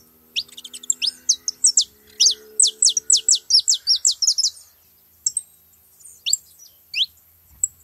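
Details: Saffron finches gathered together at a feeding spot: a fast, loud series of high, sharply descending chip notes for about four seconds, then sparser chips, with a faint low hum underneath.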